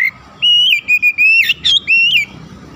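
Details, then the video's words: Oriental magpie-robin song for quickly exciting other magpie-robins: a sequence of pure ringing whistles, long level notes broken by short choppy ones and a couple of harsh rising sweeps. "PANCINGAN TERCEPAT MENAIKAN EMOSI KACER GACOR DENGAN CEPAT"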